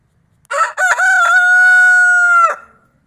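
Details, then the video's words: Crowing from one of three creole barnyard roosters kept together in one pen, two barred and one white; rapid stuttered introductory notes run into a single prolonged even note lasting well over a second, then stop cleanly. "ES UN BUEN TIEMPO PARA QUE LOS GALLOS CANTEN"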